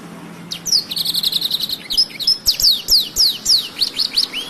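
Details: Black-throated canary, singing actively as tutor material for canaries, delivers a high rapid buzzing trill followed by a dense series of sharp, descending whistled notes and ends with an upward-slurred whistle.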